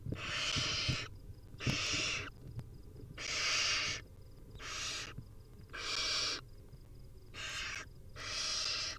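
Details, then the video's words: Wild barn owl young at feeding time give repeated breathy hissing begging calls, seven noisy bursts of varying length, close together, with light scratching in the nest. "Hungry Little Owls: Barn Owl Nestlings' Feeding Time"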